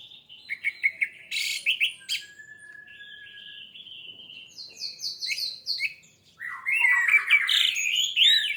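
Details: Orange-headed thrush song played as a prompt to trigger singing: scratchy chatter and sharp high notes, a long thin whistle, a repeated trill series, then a loud jumble of rich warbled phrases.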